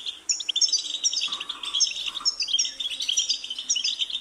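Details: Twittering goldfinch song of high jingling and buzzy notes, with a lower, softer nasal sound twice in the middle, the bright chatter continuing throughout.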